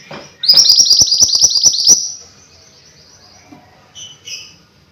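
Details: Mountain white-eye giving a fast, shrill twittering run of high chirps lasting about a second and a half, followed by a few softer high notes after a pause.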